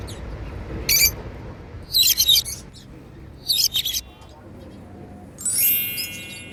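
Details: Several African lovebirds, flying freely and described as happy, give short bursts of high, sharp chirps in a few separated clusters about a second apart, over a soft background hiss.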